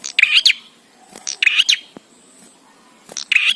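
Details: Lively bar-winged prinia song meant to get birds singing: rapid grating chirps in short clusters roughly every 1.5 seconds, each cluster a string of two or three sharp notes.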